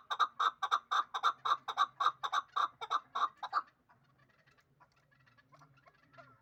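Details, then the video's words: Dushanbe hybrid partridge, two years old, for fighting and hunting: a loud, even run of about a dozen rhythmic chuck notes, then near silence with faint distant chirps and a low hum. "Кабки гибрид"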